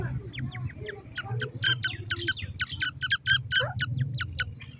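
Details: Young francolin chicks feeding on termites, giving rapid high chirps and squeaky peeps in dense, irregular bursts, with a steady low hum underneath.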